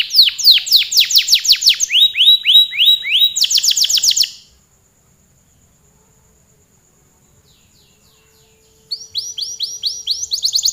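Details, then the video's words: Long canary song of fast, sweeping trills repeated several times a second, changing tempo and pitch, then about four seconds of silence before the rapid trilling resumes. "Suara burung kenari gacor kicau panjang"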